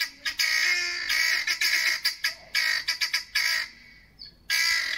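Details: Two helmeted guineafowl that landed on a neighbour's deck give harsh, rasping squawks in rapid, overlapping bursts, going wild for about five minutes.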